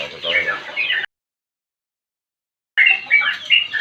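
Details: Sooty-headed bulbul in 'ngropel' song: about a second of fast chattering whistles, a silent break, then renewed sharp slurred notes.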